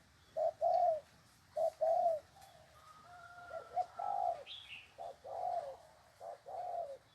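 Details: Spotted dove kept tethered by the leg, cooing keenly: low hollow coos in paired short-then-long phrases, repeated several times, with a faint thin whistle and a brief higher chirp from another bird.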